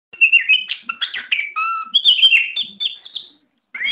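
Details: Oriental magpie-robin, a bird kept for singing contests and described as steel-nerved and ready to compete, giving a varied song of clear whistled phrases, slurred rising and falling notes and short chirps, ending in a brief pause.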